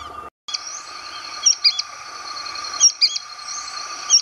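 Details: A pair of sooty-fronted spinetails (Synallaxis frontalis) in Brazilian caatinga vocalize together in harmony, repeating sharp two-note phrases over a steady high drone.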